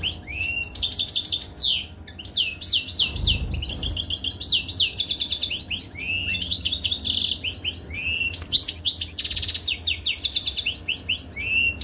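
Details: Caged European goldfinch during mating, singing a fast, dense twittering song of tinkling, buzzy and rapidly trilled high notes with sweeping slurs, nearly continuous with brief pauses, over a low steady hum.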